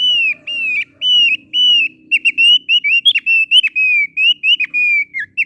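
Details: Loud, lively song of a thick-billed heleia: high clear whistled notes, some flat and some with sharp downward flicks, delivered in quick bursts with brief gaps, about three or four notes per second, on a quiet background.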